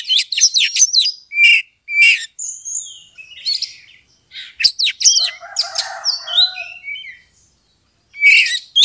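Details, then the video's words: Oriental magpie-robin singing in an aggressive, fight-provoking style meant to rouse a rival; rapid chattering bursts, piercing whistles and buzzy phrases, with brief silences between the flurries. "pancingan kacer EMOSI NAIK PELAN - PELAN"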